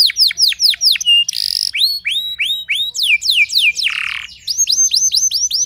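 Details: Canary song meant to goad other canaries into singing along: repeated arching whistled sweeps in quick runs, broken by two harsh buzzy bursts, then bright steady high notes repeated rapidly.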